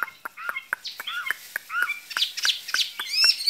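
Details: Caged skylark singing a spring love song: short chirps and rising warbled notes, broken by sharp clicks about twice a second.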